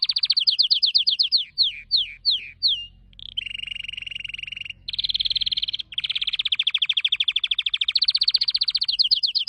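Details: Canary singing: a varied song of rapid repeated notes, first quick descending chirps several times a second, then long buzzy rolled trills held steady, some briefly broken, running without pause through the passage.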